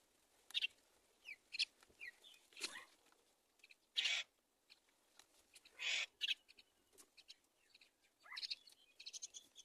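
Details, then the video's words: Myna chicks in the nest waiting for their mother to feed them: scattered harsh, raspy bursts, some short rising strokes, separated by brief quiet gaps, with faint background rustling. "Baby myna baby waiting for mother to feed"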